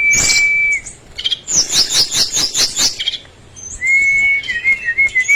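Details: Brown-chested jungle flycatcher in full song: a sustained clear whistle, then a rapid run of about eight sharp chirped notes, ending in a wavering, warbled whistle.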